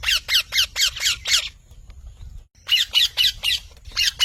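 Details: Parrot giving rapid bursts of harsh, raspy squawks, six in quick succession, a short pause, then another series of similar grating notes repeated about every quarter second.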